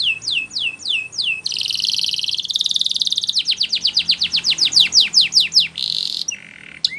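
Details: A Belgian canary sings a fast, varied training song: a series of high descending whistles, then a dense buzzy trill, and quick repeated downward sweeps that end in a lower note.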